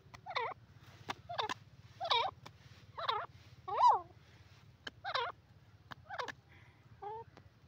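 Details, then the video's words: Grey francolin giving a run of loud, ringing, wavering notes, repeated about every second, each twisting up and down in pitch. A faint low hum sits in the background. "grey francolin sound"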